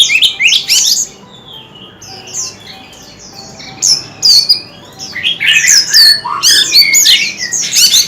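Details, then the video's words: White-rumped shama in song, tail fanned. A loud opening phrase is followed by a stretch of soft, quiet notes, then a burst of complex, rattling and whistled phrases that grows louder toward the end. "Tiếng chim chòe than hót - Chòe than hót xèo đuôi cực hay"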